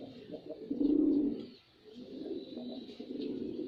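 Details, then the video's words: A male white pigeon's performance: one loud, deep, rolling coo, a brief silence, then a softer continuing rumble. "Pigeon Sound Effect || Male Pigeon Super Performance || White Pigeon"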